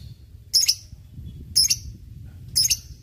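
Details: Fighter lovebird in a ngekek lure recording: three shrill, clipped high chirps about a second apart, with low background rumble.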